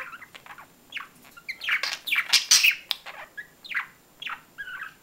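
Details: Lively budgerigar chatter of rapid chirps, clicks and harsh squawks, loudest in the middle, with repeated downward-sliding notes near the end.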